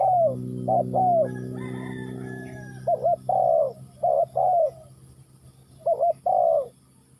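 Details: Spotted dove calling: falling croos and paired short coos in a repeated pattern, the opening seconds overlaid by a steady low hum that fades away as the cooing continues.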